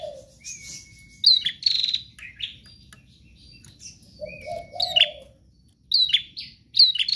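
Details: Prinia in nonstop 'gacor' song, meant to set other prinias singing: high thin chirps and short whistled notes in bursts, one long flat whistle, with a low dove-like coo below.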